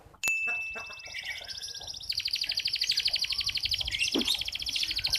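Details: Local red canary singing vigorously: one long pure whistled note, then quick chirps, then a fast, rolling, metallic trill of many rapid notes held for several seconds.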